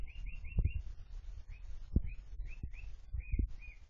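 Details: Sooty-headed bulbul, a cage bird that became tame and noisy after four months, repeating brief arched whistled notes, four quick ones at the start, then spaced singles, among sharp low knocks.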